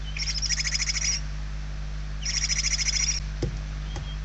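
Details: Nest interior of barn owls in Spain, 28/11/2023: hungry chicks give two long, grating pulsed hisses about a second each, separated by a pause, then a soft knock.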